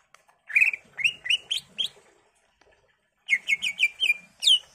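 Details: Greater green leafbird song used as a lure for other leafbirds: two bursts of bright, upslurred whistled notes separated by a silent pause, the last note a sharp, high downward sweep.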